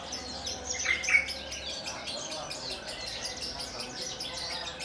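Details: Caged Javan bush lark from Kulon Progo singing after landing on its perch stone. Two sharp whistled notes open the clip, then a continuous, soft, high, rhythmic twittering runs on over a low hum.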